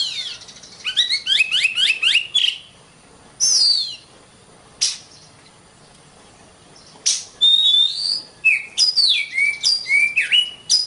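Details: Kacer, the Oriental magpie-robin, singing in a long master recording meant to train songbirds: fast runs of rising chirps, a harsh downslurred squeal, a long pause, then varied clear whistles and slurred notes dropping and rising in quick succession.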